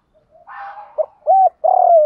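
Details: Captive-training recording of spotted dove cooing: a soft rough introductory note, then a brief hoot, an arched coo, and a long steady coo gently falling at the end.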